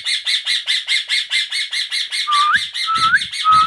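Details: Indian ringneck parakeet giving a fast run of harsh, buzzy squawks, about one and a half per second, then several short whistled notes that rise sharply near the end.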